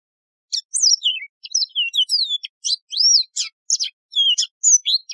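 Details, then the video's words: Mozambique serin, the Yellow-fronted canary, pours out a lively, high-pitched song of rapid chirps, down-slurred whistles and short rising notes, closely spaced for several seconds with no background noise. "شريط تغريد البسبوس الموزمبيقي"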